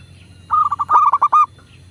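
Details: Local Indonesian zebra dove cooing on a recording used to prompt caged doves to call: one phrase of about six fast, clipped notes that rise slightly in strength toward the end, over a low hum.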